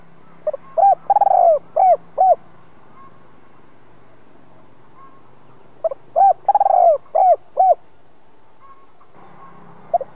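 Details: Spotted dove cooing for decoy-bird training: two complete two-ending phrases roughly five seconds apart, each with a clipped opener, long hoot, quick trembling downward run and two final notes, plus a lone coo at the end.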